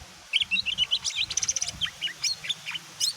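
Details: Greater green leafbird song meant to provoke other birds into responding, a rapid chattering series of varied high chirps and short whistles, densely packed, with low hum beneath.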